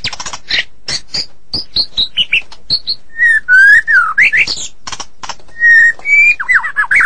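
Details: White-rumped shama singing in the morning, starting with dry clicks and short high chips, then moving into loud flowing whistles, some long and level, others sweeping down or rising, mixed with rapid warbled notes.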